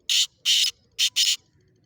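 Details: Black francolin (kala teeter) calling in Sindh, Pakistan: four harsh, scratchy bursts in two pairs, the first pair longer and spaced, the second quicker, then quiet.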